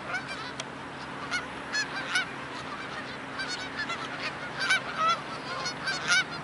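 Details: A very large flock of geese gathered on soft mud before flight fills the air with constant, layered honking; several louder honks stand out from the continuous chorus toward the end.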